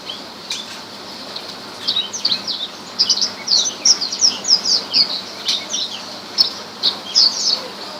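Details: A rare Horsfield's bush lark sings: after a quiet start, a lively stream of high twittering chirps and quick falling slurs, ending in bright repeated notes.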